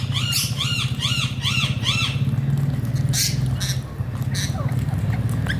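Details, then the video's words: Alexandrine parakeet (pahaadi tota), described as making funny talking sounds: five loud, harsh squawks with rich harmonics repeat about every half second, then a few quieter scattered calls, all over a steady low hum. "Alexander pahaadi tota funny talking sounds"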